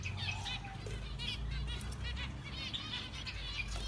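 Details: Orange zebra finches chatter with a busy overlap of short, nasal, buzzy beeps and chirps, several birds calling at once over a steady low rumble.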